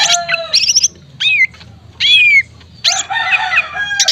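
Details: Cucak ijo, the greater green leafbird, gives harsh, harmonic squawking phrases alternating with clear, drawn-out downslurred whistles, each phrase lasting under a second, separated by brief silences.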